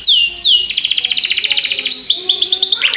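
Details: Canary song as a master for young birds: two long falling whistles, then a fast buzzy trill of evenly repeated notes, ending in warbled rising and falling phrases.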